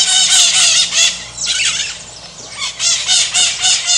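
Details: Strident screeching from a maritaca (Pionus parrot): loud harsh squawks, a softer scratchy downward-sweeping cry in the middle, then rhythmic grating notes returning roughly three times a second.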